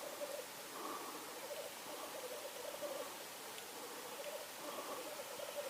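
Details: Black grouse recorded in Norway, 8 May 2019, giving a continuous low bubbling made of rapid pulses that swell and fade every second or so, against broad hissing noise like running water.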